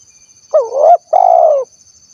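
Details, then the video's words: Tekukur, the spotted dove, 'kuk 1' style, recorded in Cilacap, Central Java: two low mellow coo notes, the first wavering up and down, the second longer and gently sinking, with a faint high hum behind. "SUARA BURUNG TEKUKUR / DERKUKU KUK 1 GACOR"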